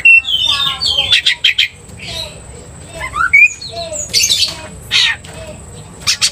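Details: Oriental magpie-robin (kacer) in a provoking 'gacor' bout: a mix of short whistles, rising slurs and harsh rasping bursts, with quieter gaps between phrases.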